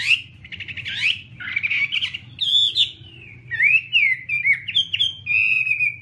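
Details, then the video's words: Chinese hwamei delivering a lively song of fluty whistles mixed with rapid stuttering trills and upward sweeps, the phrases coming in quick succession over a soft low hum. "Garrulax canorus/ Birds singing"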